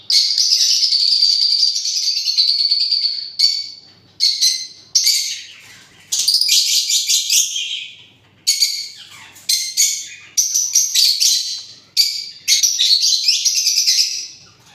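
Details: Parrot chattering at length, mixing drawn-out raspy screeches with short clipped shrieks in irregular bursts.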